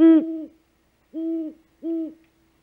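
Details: Female great horned owl returning to the nest at dawn, 3 March 2018, food-calling as the male hunts; three deep, resonant hoots, the first strongest, the next two about a second and under a second apart.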